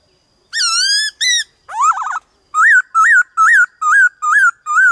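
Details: Varied-voice song of a black-throated laughingthrush, used to excite other birds and train young ones: rising whistled notes, a quick warbled trill, then six clear arched whistles repeated at an even pace, roughly two per second.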